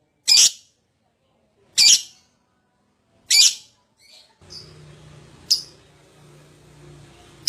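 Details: Lovebird lure calls for prompting others to sing: three loud, shrill chirps at even intervals, then a low hum and a faint distant chirp.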